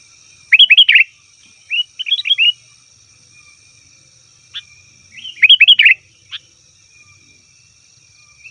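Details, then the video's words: Sooty-headed bulbul call for luring wild birds: short quick phrases of bubbly, slurred notes at intervals, an isolated click or two, otherwise quiet apart from a steady high tone. "suara burung kutilang ribut||ampuh untuk panggilan kutilang di hutan,kutilang di rumah pasti Nyaut"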